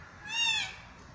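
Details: Zoo-kept kea uttering a single short, rich harmonic screech that rises briefly then falls away, over a faint steady hum.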